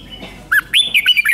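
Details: Short burst from a caged Red-whiskered Bulbul in Thailand, part of its doubled five-syllable song: a rising whistle, then a run of quick, fluty slurred notes.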